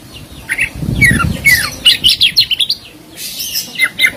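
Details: Oriental magpie-robin delivering quick descending whistled slurs and sharp chattering notes, some low rumbling noise beneath, the phrases coming in short clustered bursts with a gap before a final scratchy flourish.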